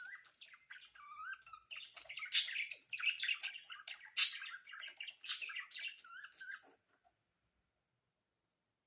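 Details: Lively budgerigar warbling, rapid chirps and scratchy squeaks with short whistled slides, running for about seven seconds then stopping into silence.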